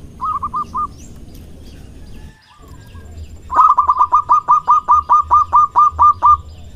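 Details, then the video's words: Local zebra dove, a loud-voiced male courting: a short burst of four staccato cooing notes, a pause, then a long run of about fourteen evenly spaced, clipped coos over low background hum. "Perkutut Lokal Gacor Suara Besar Merayu Jantan"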